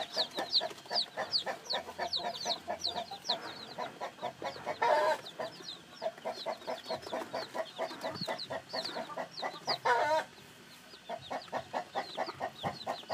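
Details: A dense chorus of newly hatched chicks: rapid, high descending peeps overlap with quick low clucking, interrupted twice by brief harsh bursts, then a short quiet gap.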